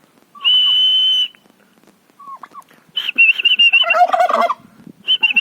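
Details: Turkey at a farm house: a long, steady high whistle, a short rising chirp, then a rough, rattling gobble burst mixed with whistled notes, and a final short whistle.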